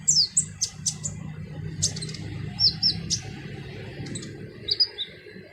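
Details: Kolibri ninja, the brown-throated sunbird, delivering harsh song: scattered sharp high chirps and brief twisted whistles, several loud accents, set against faint low hum.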